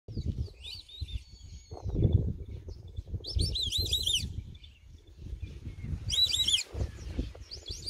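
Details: White-faced whistling ducks in Kruger National Park, several birds calling together in bursts of clear, high, rapidly repeated whistles over a steady low rumble of wind.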